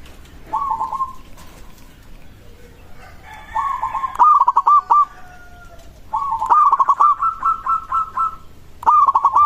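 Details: Local zebra dove song, said to set other doves answering; scattered soft trills build into loud runs of evenly spaced bubbling coos, about eight quick pulses in one long phrase, with a fainter second tone briefly beneath.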